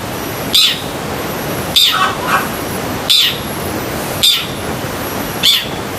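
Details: Long-tailed shrike giving crisp, high, piercing notes spaced roughly a second apart, with a few softer lower notes between, in the full sekebun-style song used to train pet shrikes.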